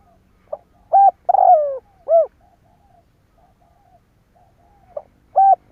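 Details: Lure call of a spotted dove meant to make other doves answer; a brief note and three mellow coos, the long middle one falling, then a pause before the phrase starts again with a short note and a coo.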